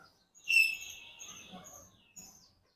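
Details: A large talking common hill myna sitting in the sun gives a loud, harsh, buzzy screech that fades over about a second, then a shorter rasp; background music is faint.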